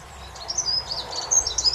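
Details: Dunnock (Prunella modularis) song: a high, thin, fast warble of jingling notes running without pause over a faint background hiss.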